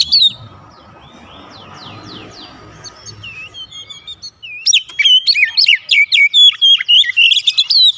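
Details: White-rumped shama lure song meant to provoke other birds: a few faint rising sweeps over low hiss, then loud rapid whistles, chips and trills packed densely to the end.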